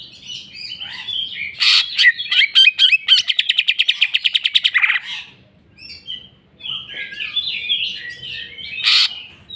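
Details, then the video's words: Greater green leafbird in full jamtrok song, unloading its repertoire: a loud harsh note, then a long rapid even trill of roughly twenty pulses, fading into varied chirpy whistled phrases and a final harsh burst. "cucak ijo mewah ful jamtrok bongkar isian"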